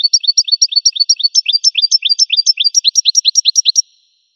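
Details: Goldfinch song: a fast, continuous twitter of short, high, paired notes repeated roughly two to three times per second, then a brief silence at the end. No other sounds.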